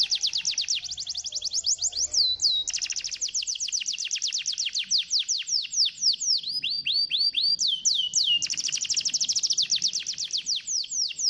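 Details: Canary singing, used to encourage a lazy canary to sing: a long unbroken series of fast rolling trills and sharp repeated chirps, changing phrase every few seconds with occasional upward-sweeping whistles.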